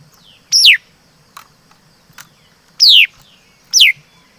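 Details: Laughingthrush (chim mi đất) singing: three loud, sharp whistled notes, each sweeping steeply downward, spaced irregularly across a few seconds, with faint clicks and soft higher notes between them.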